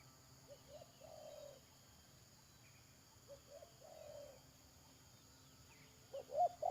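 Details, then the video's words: Spotted dove calling at a decoy trapping site, 31 May 2022: two soft coo phrases, each short notes and a long falling croon, about three seconds apart, with a louder call starting at the end. "Pikat Tekukur"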